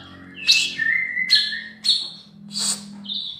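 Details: Young male spotted bulbul in a cage sings short whistled notes at a medium pitch, broken by four bright, high, burry bursts spaced about half a second apart, with a faint low hum underneath.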